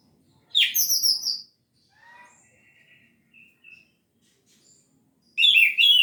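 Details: Orange-headed thrush singing in 'gacor teler' style, the full-material recording used to stimulate shy birds: a loud tumbling phrase, soft thin whistles and brief chirps during a quiet gap, then another loud rich burst.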